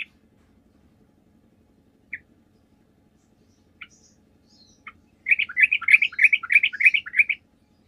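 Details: Sooty-headed bulbul used as a calling lure: a few spaced single chirps lead into a two-second burst of fast, evenly repeated bubbling notes.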